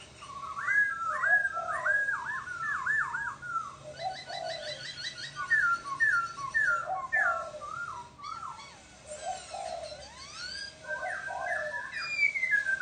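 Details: Laughingthrush in rich, varied song: looping whistled figures repeated in bursts, interspersed with rapid chattering trills and sharp upslurred notes, the pattern continuing over about thirteen seconds.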